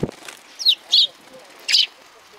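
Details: Three quick, high chirps from sparrows greeting a visitor at a Tenmangu shrine on 3 July 2020, with a short low sound at the very start.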